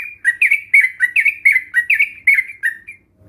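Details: Sooty-headed bulbuls in a lure recording meant to make other birds sing. A bright, steady series of paired warbled notes repeats about twice a second for nearly three seconds over a quiet background.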